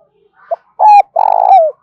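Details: Spotted dove phrase for trapping and decoy training: faint short note, a flat coo, then a long vibrating, purring coo dropping at its end, with the next coo just beginning; background silent.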